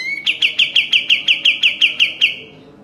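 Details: Training song of a sooty-headed bulbul for caged birds. A short rising whistle leads into eleven evenly spaced, clipped chip notes, each sharp and bright, before fading into quiet.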